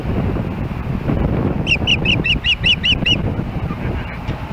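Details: Nesting osprey in Hellgate Canyon, Missoula, Montana, calling on July 4, 2016 as another osprey nears the nest. It gives about eight rapid, piercing, whistled yelps in an even run, with a steady low rumble behind, recorded by a nest camera.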